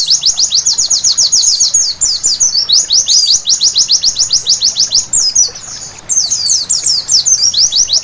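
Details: White-eye singing at night: fast series of high, down-slurred notes about four per second, broken by a brief jumbled twitter near the middle before the steady rapid series resumes; quiet background.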